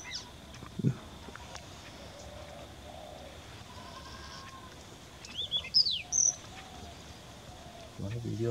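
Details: Young Chinese Rubythroat singing at Deobali Jalah: a short burst of bright, high whistled notes with sweeping slurs near the middle, set against a quiet, hissy background with a few soft low thumps.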